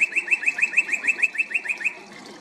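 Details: Male northern cardinal singing, whether for territory or to court: a loud, quick series of about a dozen sharp, repeated notes at one pitch, fading out at the end.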